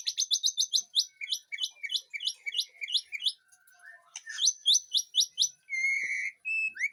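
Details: White-rumped shama in a backyard garden aviary, delivering a fast series of sharp, evenly repeated high notes, a short pause, another repeated run, then long steady whistles.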